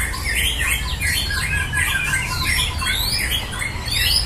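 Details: Murai batu, the white-rumped shama, dueling in a singing contest: rapid looping whistles and up-and-down slurs repeated in quick bursts, over a low constant hum.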